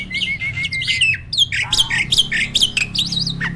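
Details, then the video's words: Champion caged starling delivering loud varied song: a brief steady whistle gives way to dense harsh squawky notes and rapid mixed chatter, with a faint low hum underneath. "SPEED TEMBAKAN LANTANG"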